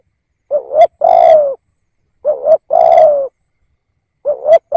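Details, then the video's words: Decoy spotted dove used to provoke wild doves, giving repeated phrases: a quick hoarse double note, then a long, resonant coo. There are three phrases spaced about two seconds apart. "Tiếng Cu Gáy / chim cu gáy kích bổi nhanh nổi"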